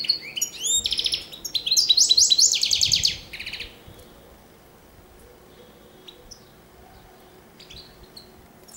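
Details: Oujdi-type European goldfinch, 2013: about three and a half seconds of fast, liquid twittering with rising and falling slurs and a loud buzzy trill. It then falls quiet apart from a few faint, scattered chirps.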